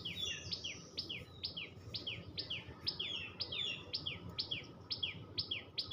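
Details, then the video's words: Tailorbird chirping: a quick series of sharp, high, downward-sliding chirps, about two each second, over a faint low rumble of background noise. "টুনটু‌নি পা‌খির ডাক l Tuntuni birds chirping sound l Tailor bird chatter l টু‌নি পা‌খির ডাক"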